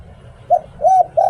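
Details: Spotted dove kept as a decoy bird in Thailand, singing in the 'Liu Tan' style: a short low coo, a rounded mid note, then a longer coo cut off at the end, over a faint low hum.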